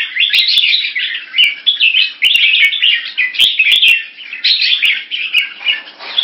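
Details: Red-whiskered Bulbul in a cage in Singapore, testing a rival with short keke calls while slashing its tail. A steady stream of rapid, jumbled chirps rises and falls, broken by crisp ticking clicks.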